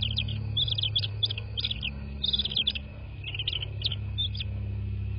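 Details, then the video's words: Nest of bald eagles in southwest Florida, captured by nest cam late at night on 13 March 2024; rapid series of high, squeaky piping chirps in clustered bursts about every half second, with a steady deep hum underneath. "Bald Eagles (Nest Cam)"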